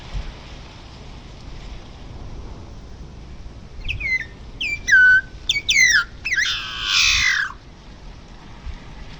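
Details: Long-tailed meadowlark in Río Gallegos, Santa Cruz, southern Patagonia, Argentina, giving a series of short downslurred whistled notes that quicken, ending in a long harsh buzzy descending wheeze, with low background rumble.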